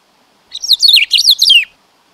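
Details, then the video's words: Black-throated grosbeak delivering a flowing whistled phrase, notes tumbling downward in a smooth cascade for just over a second. "bico de pimenta"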